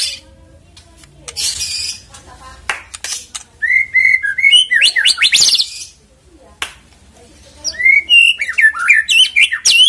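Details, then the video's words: Lure recording of a white-rumped shama meant to prompt another bird into lively song. Two bursts of fast, varied whistles and upslurred notes are separated by short quiet gaps, with scattered sharp clicks between them. "PANCINGAN MURAI BATU AGAR GACOR CEPAT BUNYI"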